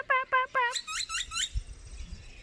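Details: Boisterous bird the speaker thinks is a grackle, calling in a backyard at a duck club: three short, nasal notes, then a quick run of four high, squeaky chirps, followed by a person's voice and faint background noise.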